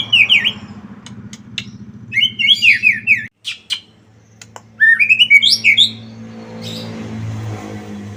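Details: Prolific song of a white-rumped shama, used to lure other shamas into answering; quick warbled whistle phrases with scattered sharp ticks, a droning low hum beneath that stops briefly, then returns.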